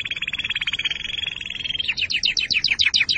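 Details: Canary song used to prepare canaries for breeding and to teach young birds: fast trills of repeated notes, first a steady buzzy roll, then quicker rising-falling notes repeated many times a second.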